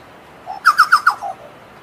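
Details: Chucao tapaculo song: a soft low note, then four loud, bubbling descending notes in quick succession, closing with two lower, fading notes; quiet background.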